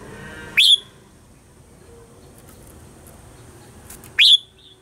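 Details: Red-whiskered bulbul morning song in the mature wild-style voice, used for training caged birds: two short piercing whistled notes about three and a half seconds apart against steady background noise.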